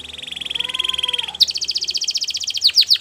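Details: Belgian canary in training, a pulsing mid-pitched trill that jumps to a higher, faster rattling roll after about a second and a half, ending in a few swooping notes.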